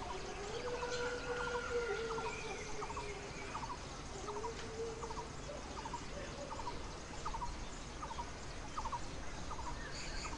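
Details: Red-billed blue magpie, a female feeding her brood of four chicks at the nest and sitting on them against the harsh summer sun in the Himalayan foothills: a run of short, thin mid-pitched notes, roughly two a second, with a few drawn-out lower tones under steady background rumble.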